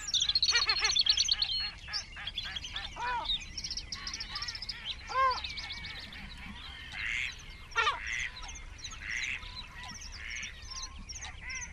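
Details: Great crested grebes nesting close to one another in a group of about twenty, 21 June 2024: a rapid run of harsh, clipped notes, then scattered arched calls, with songbirds chattering throughout.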